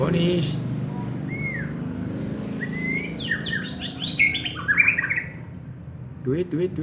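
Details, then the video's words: Champion contest white-rumped shama singing: a lone rising whistle, then a rapid run of bright, varied whistled and slurred notes climbing and falling. A steady low rumble runs underneath, with a brief chatter at the end. "BURUNG MUARAI JUARA"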